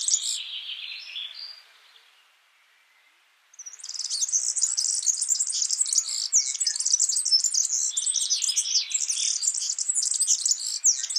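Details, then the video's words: Yellow-fronted canary singing in the wild: a warbled phrase, about a second and a half of quiet, then a long, steady stream of rapid, high twittering trills. "Suara burung Mozambik gacor di alam"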